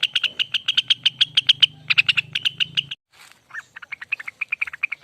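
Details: Long 'ropel' song of a lesser green leafbird, locally cucak wilis or Rengganis: a quick trill of bright notes with a low hum underneath. It stops abruptly, then resumes as spaced, slightly lower notes.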